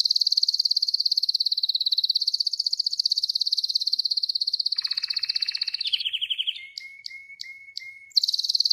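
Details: A wild Spanish Timbrado canary holds a long, even, high rolling trill for several seconds, then switches to a lower buzzy roll and a run of quick sharp repeated notes before the high trill resumes.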